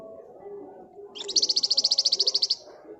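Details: Flamboyan bird in full gacor ngebren rapat song: one long, very regular trill of about seventeen bright, high, clipped notes, steady in pitch, over a faint low murmur.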